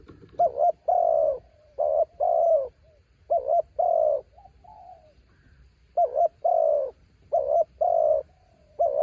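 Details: A decoy spotted dove sings insistently to attract wild doves in strong wind. Rapid repeated phrases of a short double hoot followed by a fuller, longer coo run close together, with a short quiet break midway.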